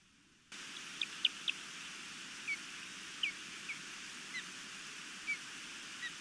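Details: Osprey on a Missoula, Montana nest, 11 May 2021, reacting to an intruder overhead during nest defence: a burst of three piercing high chirps, then scattered single whistled notes over a steady hissing background.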